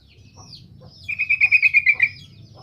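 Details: Sooty-headed bulbul singing energetically, used to stir beginner bulbuls to respond: after a soft high note, a fast bubbly run of about nine liquid notes, evenly paced, with faint ticking in the background.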